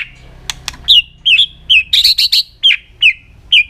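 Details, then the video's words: Aggressive White-rumped shama, tail flicking, singing to provoke other birds: clicks, then a series of clear slurred whistles, each falling then rising, with a quick buzzy triple burst midway. "chòe lửa kéo dây siêu dài,đánh đuôi thái độ kích chim hiệu quả"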